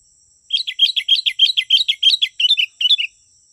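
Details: Sooty-headed bulbul, used as a lure to draw wild birds closer: a rapid run of about fourteen bright chirping notes, each dipping and rising, delivered evenly over two and a half seconds. A steady high electronic whine sits underneath.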